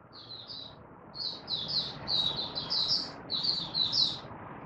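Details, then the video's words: Malaysian white-eye (mata puteh) kept in Singapore, warm sunny weather, 20 March 2023: a softer, more distant-sounding series of high slurred chirps over steady low background noise. "Malaysian Mata Puteh Happy Buka Sing"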